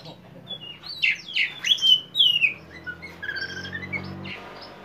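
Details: Oriental magpie-robin, kacer poci type, in full konslet-style song meant to provoke untrained magpie-robins. A run of loud, varied whistles and harsh sweeping notes, then softer warbled phrases with a low hum beneath.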